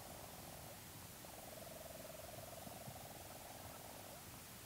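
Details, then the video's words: Leach's storm petrel in its burrow, close-up recording: a long, low-level purring churr that breaks off after a moment, then resumes as an even, finely pulsed hum against a muffled, rumbling background. "Leach's Storm Petrel. CU Calls From Bird In Burrow And Movement Sounds."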